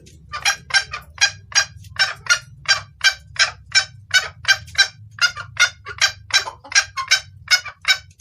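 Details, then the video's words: Female red junglefowl calling to the male, used as a lure call: rapid series of short, harsh clucking notes, about four per second, steady through the clip over a faint low hum. "Suara ayam hutan betina gacor pangil pejantan"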